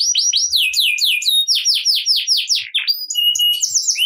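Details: Energetic canary in 'ngerek' song, used to coax lazy canaries to sing: tumbling series of sharp descending high chirps, each repeated several times in quick succession, ending with scattered thin whistles.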